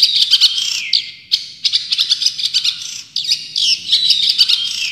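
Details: Long-tailed shrike, described as a champion bird, in a full-burst tutor song: dense high chattering phrases broken by short pauses, with sharp clicks and slurred whistles run together.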